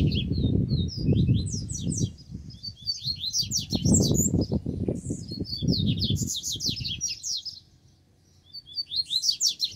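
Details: Double-collared seedeaters, more than one bird present, in a song session: dense, rapid, twittering high notes in long strings. Heavy low rumbling noise runs underneath.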